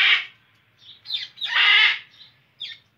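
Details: A loud, drawn-out raucous screech from an Indian ringneck parrot, framed by shorter harsh squawks before and after, in otherwise quiet surroundings.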